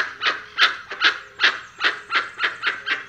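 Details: Dusky-legged guan uttering about ten rough, barking notes in quick succession, each short and loud, evenly spaced at roughly three per second.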